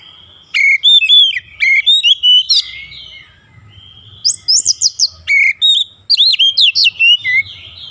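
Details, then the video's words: Oriental magpie-robin singing for daily long-rolling training: repeated loud descending whistles, varied chips and slurs, a short lull, then quick high buzzy trills and bright whistled notes. "TERAPI HARIAN KACER CEPAT NGEROLL PANJANG"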